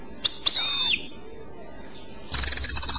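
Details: Clochette-style song of a European goldfinch, brief: two clear high whistled notes sliding downward, a quiet pause, then the start of a fast, tinkling twitter.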